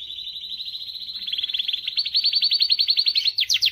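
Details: Canary singing to motivate females: a continuous rapid trill that rises slightly and gets louder, turning into clearer, more spaced pulses and ending in a few quick sweeping notes.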